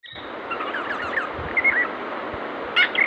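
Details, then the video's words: A cockatiel sings a quick run of warbling, chattering whistles that slide up and down, with a few sharp squeaks near the end, over steady background hiss. "singing session"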